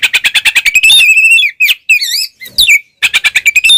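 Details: Oriental magpie-robin ngeplong fighting song, played to provoke rivals: quick stuttered pulses about three per second, a sustained wavering whistle, swooping slurred notes, then the fast pulsed run returns.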